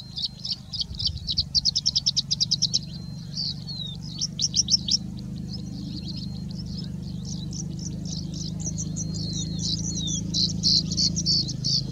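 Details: A Singing Bushlark in India gives a varied high song of rapid trills, buzzy phrases and short slurred whistles, mimicking birds such as Indian Robin, Pied Bushchat, Plain Prinia and Common Woodshrike, over a steady low rumble.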